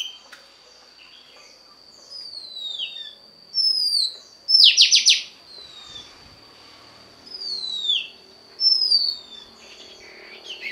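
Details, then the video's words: Oriental magpie-robin female voice for stimulating a male: scattered thin falling whistles and one brief burst of rapid sharp strokes over a steady high tone and low background hiss. "Choè than mái kích trống hay nhất"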